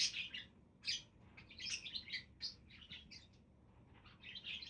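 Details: Budgies chirping: a loud raspy note at the start, then a steady chatter of scratchy warbled chirps that fades slightly toward the end.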